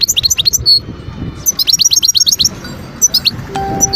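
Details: Wild European goldfinch singing in Guerbez, Skikda, Algeria, 2022: lively high twittering with rapid runs of sliding tinkling notes and short pauses, over a low background rumble.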